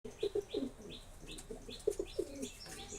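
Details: Pigeons cooing in short, low, throaty notes, several bursts in quick succession, with faint higher chirps and light rustling behind.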